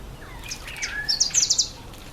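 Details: Red bishop in breeding season, when males turn black and red and hold territories in reeds or bulrushes over water. Short falling whistles lead into a quick string of high, sizzling buzzy notes lasting under a second.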